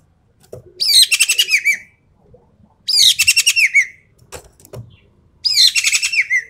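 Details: Javan pied starling singing in the rapid 'full tembakan' style: three loud bursts of harsh chattering, stacked notes with descending whistled slurs, about every two and a half seconds, with quiet gaps between.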